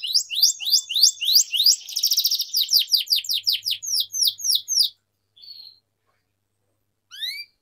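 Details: Canary song used to tutor young canaries learning to sing. Sharp downslurred chirps repeat several times a second, merge into a dense trill, then stop, with a few isolated notes after a pause.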